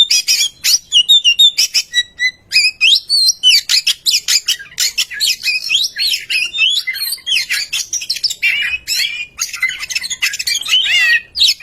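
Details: Lure song of an Oriental magpie-robin meant to prompt silent birds to sing: dense, harsh chattering and scratchy notes interwoven with sweet rising and falling whistles, nearly continuous throughout.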